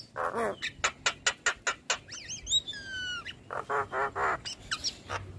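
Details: Caged Black-winged starling in full, prolific song with head-bobbing: a rapid run of sharp clicks and harsh notes, a brief burst of looping whistles, steady whistled tones, then more harsh rhythmic chatter.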